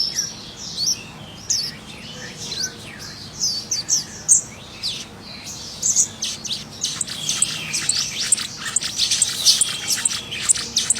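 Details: Scarlet minivet singing in the wild, first with thin high chirps and downslurred whistles, then a denser, buzzier, louder stretch of rapid notes in the second half, with a soft steady background hiss.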